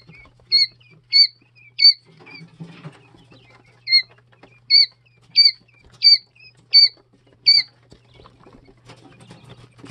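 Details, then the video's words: Brooder of Jumbo White Quail chicks aged two to three days: about ten sharp, high, hooked peeps roughly every half-second during the first eight seconds, then quiet scuffling over a low hum. "2 Day old Jumbo White Quail Chicks"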